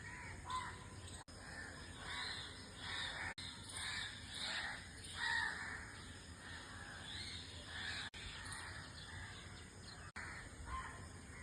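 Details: Harsh, grating cackles from a white-throated kingfisher (Halcyon smyrnensis), repeated roughly every second or two in uneven bursts over steady outdoor background hiss.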